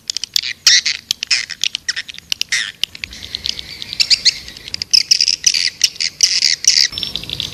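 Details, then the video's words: Swiftlet attraction call of the white-nest swiftlet: quick sharp clicks interspersed with bursts of shrill twittering, becoming a sustained chattering stretch in the second half. "Suara Panggil burung walet"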